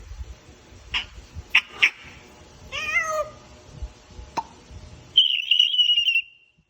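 African grey parrot giving a few sharp clicks and chirps, then a descending meow-like call and a steady whistled note; the room is otherwise quiet.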